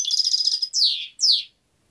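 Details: A European goldfinch sings a fast, slightly buzzy trill, then two drawn-out slurred notes sweeping downward, in a quiet setting.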